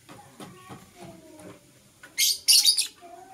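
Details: Green and blue masked lovebirds call in the morning. Faint low tones are followed by two loud, harsh, high squawks close together near the end.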